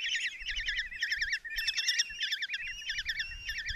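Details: Five common kestrel chicks in a nest box in Tiszalök, Hungary, begging as the mother brings a mouse, June 2024; fast wavy trills repeated roughly twice a second, layered with higher chirps, over quiet background.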